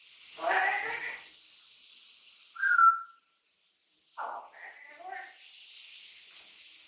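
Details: Three-year-old male Amazon parrot kept as a companion at home: a raspy chattered syllable, then one clear bright whistle, followed by a quick run of jumbled talk-like notes.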